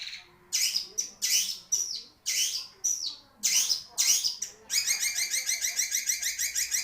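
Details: Long-tailed shrike, a caged songbird, singing a loud varied phrase: harsh broadband bursts repeated about every half second, then a fast even chattering run of rapid high notes toward the end.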